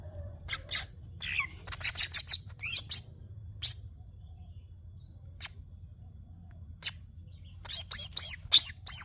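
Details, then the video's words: A greater green leafbird sings a lively, changeable sequence of thin high chips, slurred whistles and quick downward-curving notes. It ends in a fast run of bright, repeated high phrases, with low hum in the background. "burung cucak hijau termahal"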